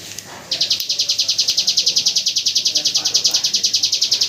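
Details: Hill prinia in the 'AK47 gunfire' song style, kept as tutor audio for white-rumped shamas; after a quiet half-second the bird bursts into a fast, even rattle of piercing high notes that continues steadily.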